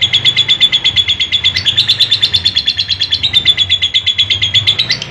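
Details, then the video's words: Long continuous lovebird trill, recorded unedited as training material for lazy adult birds: a shrill, fast-pulsed high note holding level throughout, with rhythmic swells several times a second and small pitch jumps near the middle and end. "Masteran Lovebird Yang lagi Viral, Ngekek Panjang Suara Asli Jernih"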